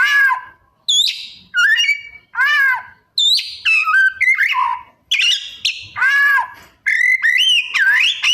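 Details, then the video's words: Oriental magpie-robin (kacer) delivering varied mimicked phrases: loud harmonic downslurred calls, squeaky upsweeps, rapid stuttering trills and whistled slurs in separate bursts about every second. "Suara Kacer Gacor Rajin Bongkar Isian"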